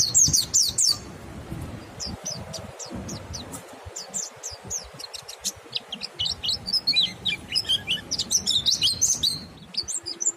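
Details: Monty bird in full singing, meant to stimulate other monty birds to join in: fast, high chirps and short sweeping notes, dense and overlapping, with a brief louder burst at the start and faint low background rumble.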